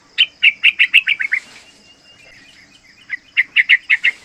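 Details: Rolling 'ropel' song of a young yellow-vented bulbul, aged three months, meant as a lure and a master song for learning birds: two fast runs of about seven sharp chirped notes, separated by a short gap.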